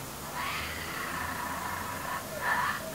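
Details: Hungry baby kookaburra perched on a clothes hoist, making a weird gurgling noise: a drawn-out, rough, wheezy rasp lasting nearly two seconds, then a shorter harsh burst.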